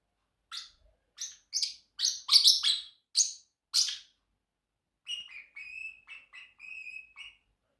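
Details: A pet Pacific parrotlet (Forpus coelestis) gives about eight harsh, scratchy chirps over three seconds, pauses, then a string of short, clear, high whistled notes.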